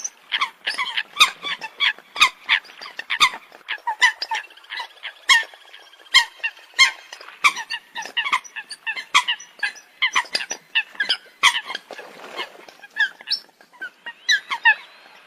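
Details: Several Eurasian coots calling together in a dense chorus: rapid, overlapping short nasal yelps and clicks, with several notes per second throughout.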